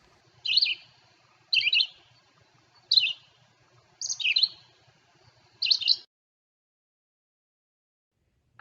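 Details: A Red-eyed Vireo at Natural Tunnel State Park, hidden in the treetop canopy, sings short, high, slurred phrases about one a second, alternating rising and falling like question and answer ('Where are you? Here I am'), with pauses between.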